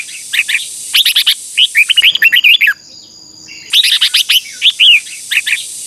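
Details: Red-whiskered bulbul singing in contest style, offered as training and lure song for other bulbuls: bursts of rich, fast whistled and chattering phrases, a short pause with faint steady tones, then more rapid warbled phrases.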